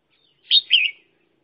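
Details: Trapping decoy red-whiskered bulbul giving a brief two-part whistled phrase, a bright note followed by a quick rolling warble.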